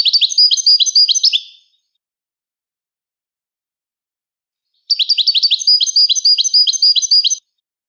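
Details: Moroccan goldfinch singing: a quick, bright twittering burst of high, tinkling chirps, then about three seconds of silence, then a second longer run of rapid liquid notes. No other sounds.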